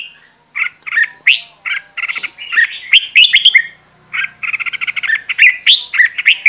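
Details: Red-whiskered bulbul decoy singing for voice training: fast chattering sequences of clipped whistles and warbles, a short pause, then a rapid run of repeated notes and lively phrases.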